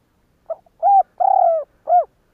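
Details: A single clear cooing phrase from a spotted dove, meant to provoke other doves into cooing. A faint lead-in note, a smooth coo, a longer vibrating coo, then a short final coo, in a quiet setting.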